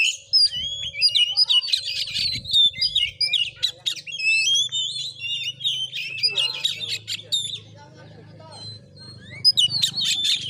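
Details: Oriental magpie-robin in fighting mode in Padang Gading village, Bengkulu, Indonesia; harsh scolding chatter and whistled phrases for several seconds, then a quieter stretch with a low hum before song resumes.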